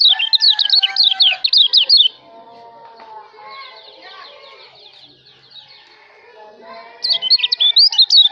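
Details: Kecial lombok, a white-eye, singing as a tutor recording for songbirds: fast, high, twisting warbled phrases open and close the clip, separated by several seconds of quieter mixed twittering and lower whistled notes.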